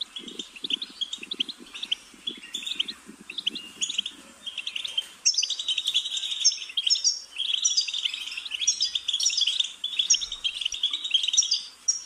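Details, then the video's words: Sustained high twittering song of a goldfinch, quieter and patchier at first over a low rapid ticking or rattling sound, then louder, denser jingling trills from about five seconds on. "Goldfinch's Singing"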